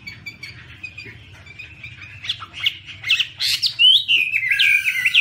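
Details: Chinese hwamei recorded in 2017 while waving its wings and singing; soft, thin whistles at first build into loud, clear slurred whistled phrases with sharp high notes toward the end, over faint low background hum.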